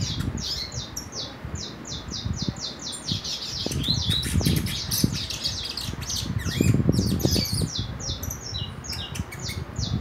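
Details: Juvenile saffron finch, four months old, heading into nest moult and keen to sing: fast series of high descending chirps, repeated several times a second, over loud low thumping and handling noise.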